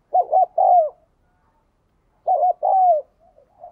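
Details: Spotted dove coos for stimulating a decoy bird to coo quickly, recorded 2022: two phrases about two seconds apart, each a quick doubled stuttering coo then a longer falling hollow note, with a few soft trailing notes.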